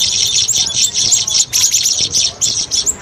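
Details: Trapping lure recording of streak-eared bulbul: a continuous chattering chorus of high, thin chirps and squeaky notes. Brief pauses near the middle and the end break the stream.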